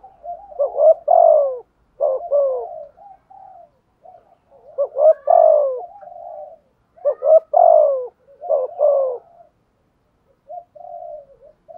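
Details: Decoy spotted dove, thổ voice, thúc gù cooing in bursts: clusters of sharp doubled notes and falling coos separated by gaps with soft short notes, ending quietly.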